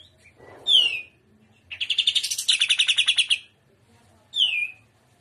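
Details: Greater green leafbird singing trotolan style, gacor in udang style: a loud downslurred whistle, then a fast pulsed trill lasting nearly two seconds, closed by another falling whistle.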